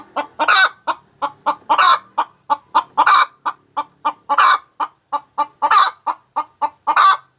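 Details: A hen laying eggs keeps up a steady, regular cackle: fast clucks at roughly three per second, every fourth or fifth stretched into a louder, rough squawk.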